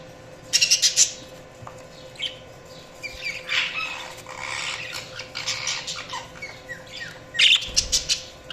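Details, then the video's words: Budgerigars in lively chatter: sharp clicky bursts at the start and end, with a stretch of rapid, rising and falling chirps and squawks in between, plus some rustling knocks. "Budgies Chirping sound"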